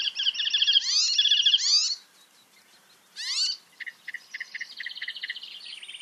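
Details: Icterine Warbler song recorded in Germany: a strange, somewhat artificial-sounding phrase like an electronic game, made of repeated two-syllable parts; a rapid high chattering run, a pause, a sharp burst, then quick repeated notes, with faint background noise from trees.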